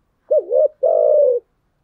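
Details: One cooing phrase from a decoy female spotted dove used to lure wild doves: a short, dipping, wavering low note, then a longer, smooth, level coo that falls slightly at the end.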